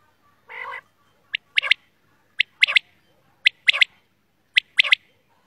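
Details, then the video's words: Black quail opening with one harsh, buzzy note, then four sharp three-part calls, each a short click and a clipped double burst, about once a second. "Black Quail Sounds"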